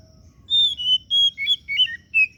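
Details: Oriental magpie-robin of the kacer daput type delivering a phrase of bright, drawn-out whistles, then rapid up-and-down flourishes, with brief gaps between notes over a quiet background.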